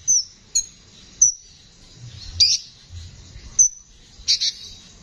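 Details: Konin singing in a rough voice for songbird training: single high, sharp chirps spaced about a second apart, then a brief scratchy burst near the end.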